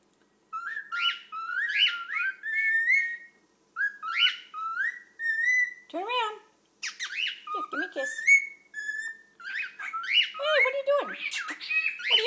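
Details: Two pet cockatiels whistle in bright, rising and warbling phrases, with a few harsher squawky notes mixed in.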